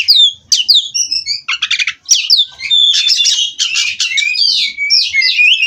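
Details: Caged Cirebon-strain Oriental magpie-robin (kacer) from a breeder, in continuous ngerol rolling song: sharp high whistles open the phrase, then dense chattering trills and looping slurred notes run on without break.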